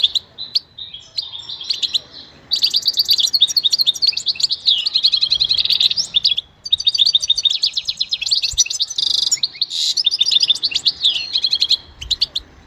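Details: Continuous high twittering song of a goldfinch, fast tinkling chirps and metallic trills running almost without break, a few short gaps.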